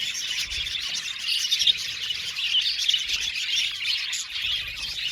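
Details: Aviary budgie colony, a thick, high twittering chatter with bright chirps popping out over the steady chorus of many birds.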